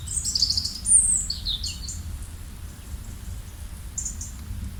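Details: Birds chirping: a burst of thin, high chirps and a short descending whistle in the first two seconds, then fainter high twitters near the end over a steady low rumble.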